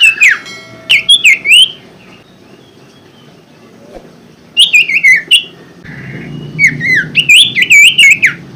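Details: Common Iora (sirtu) song used to get reluctant caged birds singing: three loud bursts of sharp slurred whistles with high clicking overtones, separated by quiet gaps, a soft rumble under the last phrase.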